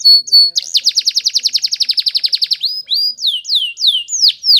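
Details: Spanish Timbrado canary training song: two short whistles, then a long rapid trill of about twenty evenly pulsed notes, followed by flat whistles and descending swept notes.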